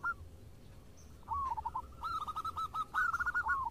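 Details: A near-silent opening gives way to local zebra doves answering each other in lively song: bubbling, rolled cooing notes that build into a fast, regular string of arched, mid-pitched notes.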